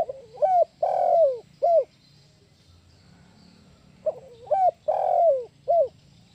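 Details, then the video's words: Spotted dove lure call used for trapping: a phrase of three to four hollow cooing notes, the middle one longer, repeated after a pause of about two seconds, clean and loud against a quiet background. "Suara Pemanggil TERBAIK TEKUKUR KUK 1 PIKAT TUA"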